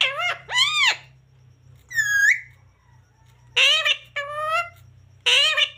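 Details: Parrot talking, mimicking words such as 'mummy papa' and 'radhe radhe': short, harmonic, voice-like syllables in separate bursts with pauses between them, and a low steady hum indoors.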